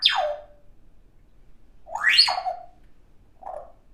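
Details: Young pet African grey parrot making funny electronic, robot-like noises: a steeply falling whistle, then a rising-and-falling swoop, then a short low warble, all in a quiet room.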